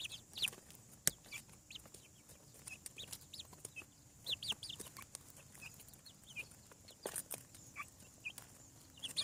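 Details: Chicks hatching from eggs on a farm peep in scattered high, falling notes, singly and in quick pairs, with sharp knocks and tapping sounds breaking through now and then.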